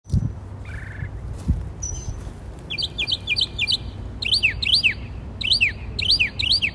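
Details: Birds chirping in trees, communicating with one another: after a few scattered notes, quick high chirps come in short bursts of two or three, each a sharp downward-sweeping note, repeated through the second half over a low steady rumble.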